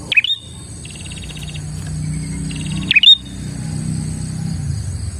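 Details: Prinia song used for luring other prinias: two loud, high chirps, each a fast falling slide with a rising flick, about three seconds apart, separated by pulsing buzzy trills; low rumble behind.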